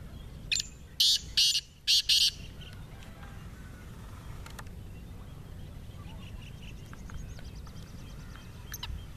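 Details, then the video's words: Partridge (teetar) kept for fighting, described as a bird with 28 calls: a quick series of five harsh, noisy bursts in about two seconds, then steady background hiss with faint chirps. "28 awaz wala teetar"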